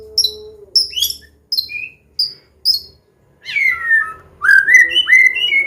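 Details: Combination song of a Medan white-rumped shama meant for teaching young birds. Five isolated high chips, then sweeping whistled slurs falling and rising in a flowing phrase, with a faint background hum.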